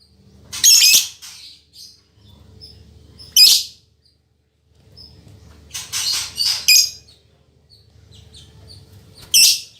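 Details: Female lovebird of fighter temperament, a very vocal singer kept as a training model for other lovebirds; shrill, harsh, buzzy bursts of chatter come roughly every three seconds over a faint low hum.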